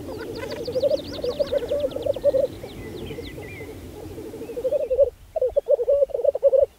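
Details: Black grouse lekking in spring 2014 on Saaremaa: steady rolling bubbling phrases, pulsed and dove-like, repeat almost without pause. Thin high chattering calls sound early on, and a brief gap comes before louder bubbling resumes.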